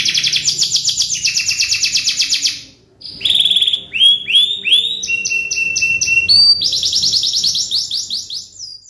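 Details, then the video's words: Canary song meant to coax a silent canary into singing. It opens with a long, dense, buzzy high trill, pauses briefly, then moves into rapid repeated upswept whistled notes and sharp chirp series, all very high and energetic. "MASTERAN KENARI MACET | CANARY SINGING"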